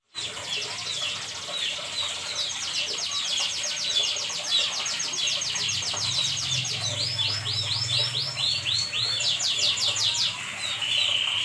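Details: A canary sings vigorously after dark, delivering long buzzy rolled trills and then quick looped whistles that end in a sustained tone, with a faint low hum underneath.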